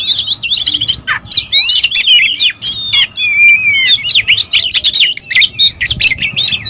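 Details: Agitated territorial oriental magpie-robins in noisy song: continuous varied high whistled phrases and chattering trills from multiple birds, almost without pause, with faint low background hum.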